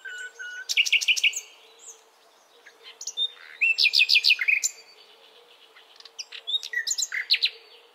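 Pink-necked Green Pigeon giving three bursts of high, warbling whistles mixed with chirps, about three seconds apart, over a faint steady hum.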